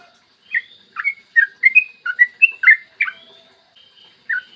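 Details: Yellow-vented bulbul (trucukan) singing clearly in the morning, a song used to coax other bulbuls into singing: a quick run of about nine liquid whistled notes, stepping up and down, then sparse trailing notes.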